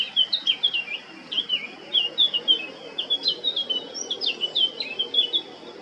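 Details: On 20 July 2022 at Baška, Krk island, Croatia, a male Eurasian blackcap sings a steady, rhythmic run of fluty, down-slurred whistles, evenly spaced and repeated in quick succession throughout.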